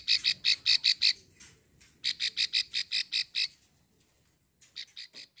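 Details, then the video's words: A female plain prinia calls its long 'ngekrek' to attract males in Ulujami, Central Java. Three bursts of sharp ticking notes: a short run, a longer run of about eight, and a faint closing few. "PRENJAK SAWAH CICI SAWAH KLIK BETINA NGEKREK PANJANG || UNTUK PANCINGAN BUNYI JANTAN"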